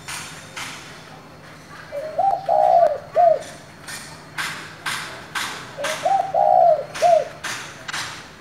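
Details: Spotted dove with a 'giọng thổ' voice, calling to stir newly caught wild doves into calling. Two low, mellow cooing phrases, each a rising lead-in, a long hooted note and a short final coo. Sharp broadband thumps repeat about twice per second.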